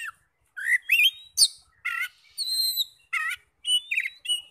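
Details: Oriental magpie-robin song played as a lure to provoke other magpie-robins into singing; loud bursts of varied whistled and slurred notes, some buzzy and some pure rising whistles, broken by short silent pauses.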